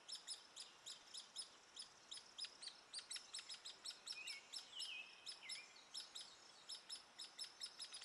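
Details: Hairy woodpecker (Picoides villosus), adult feeding a chick: high, thin chirps tumbling out in a fast, uneven stream.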